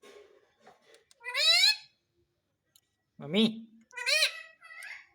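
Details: Parrot that says "mummy papa": two shrill, strained spoken-sounding phrases from the bird surround a single low human prompt word, with faint chatter at the start.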